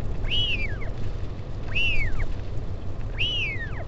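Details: Northern royal albatross at Taiaroa Head near Dunedin, New Zealand, parent visiting chick on 16 July 2019: three strong arched whistles about 1.4 seconds apart, each climbing and then falling away, with steady wind.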